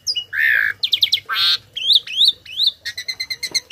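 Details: Tame Asian pied starling in full song, a tutor voice for other cage birds: a rasping burst, then rising slurred whistles repeated three times, ending in a quick series of evenly spaced high chips.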